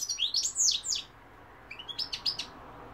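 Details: European goldfinch song with loud, arching whistled notes followed by a quieter series of rising, tinkling chirps after a brief pause.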